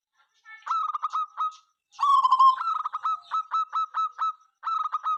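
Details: Local zebra dove singing, a bird heard morning, noon and night and said to set rival birds calling; a run of short mellow cooing notes repeated in quick bursts, with a longer rolling coo partway through, over silence.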